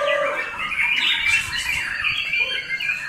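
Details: White-rumped shama delivering a dense, continuous stretch of song, with rapid warbled and whistled notes tumbling over one another at a steady loudness.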